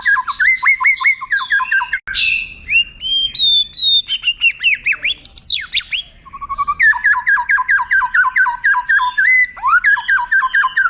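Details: White-rumped shama tutor song with long prominent phrases for contest birds: rapid repeated notes, a harsh burst, high sweeping whistles and steep slurs, then fast note series again.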